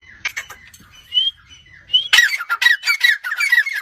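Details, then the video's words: Grey francolin, locally called Irani teetar: soft scattered notes and a thin whistle open the recording, then a loud burst of harsh, rapidly repeated squawking phrases takes over for the final two seconds. "Irani teetar full Masti Awaz"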